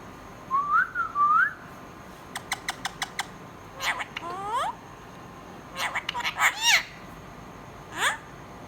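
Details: Pet budgerigar with wavering soft whistles, a series of five rapid clicks, then rising harmonic chirps and squeaky chatter.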